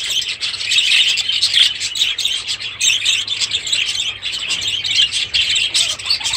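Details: Aviary budgerigars, adults and new chicks, in steady high-pitched chatter: rapid, rasping chirps and warbled notes overlapping without pause throughout.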